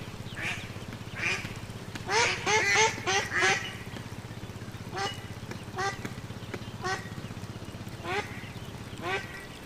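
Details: Duckling in a pond calling with short, downward-sliding nasal quacks, first scattered, then a quick cluster of four, then single calls every second or so over a constant low hum.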